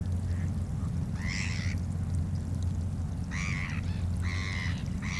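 Black-headed gulls give four harsh, nasal, screeching calls, each under half a second, after a few faint softer notes, over a steady low rumble.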